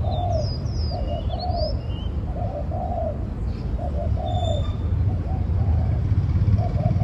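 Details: Repeated low coos from a spotted dove, short paired notes leading into a longer mellow coo, phrase after phrase. Other birds give thin whistled and chirping notes, and a low rumble persists.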